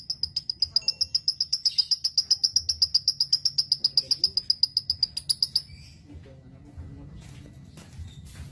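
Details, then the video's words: Lovebird song meant to train other lovebirds: a fast, regular string of piercing high notes, nearly four per second, stopping abruptly, followed by faint scattered chirps. "Masteran Ampuh Burung Love Bird"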